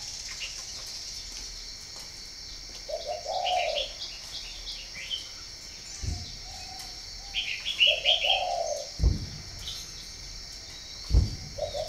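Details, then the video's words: Northern Vietnam spotted dove from a breeding farm in Ba Vi gives soft, hollow coos, two clear phrases and one faint one. Twittering small birds and a few sharp knocks are heard around them. "chim cu gáy hay miền bắc"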